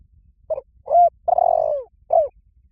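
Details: Spotted dove lure call for drawing in wild doves: a short low note, a smooth rounded coo, a drawn-out vibrating coo gliding down in pitch, and one closing descending coo, in a quiet setting.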